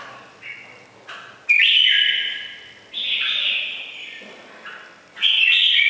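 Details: Red-whiskered bulbul, củ đậu type with ringing bell-like voice, giving three loud bright whistled phrases with gliding, slightly warbled notes, separated by short pauses.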